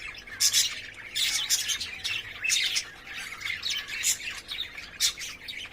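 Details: Caged lovebirds courting and playing together, giving dense, high-pitched, screechy chirps and squawks in quick irregular bursts about once a second, overlapping each other, over a faint constant background hum.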